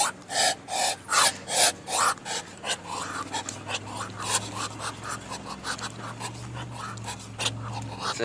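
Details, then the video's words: An angry duck that only hisses, going after the camera: loud raspy hissing bursts in a quick series at first, then softer rapid breathy rasps, with a low hum underneath. "The crazy hissing duck attacks camera"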